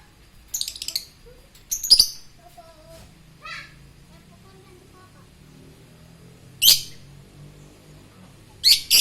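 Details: Lovebird giving short, shrill, high-pitched squeaky chirps in brief bursts, with a few softer lower notes in between and quiet gaps.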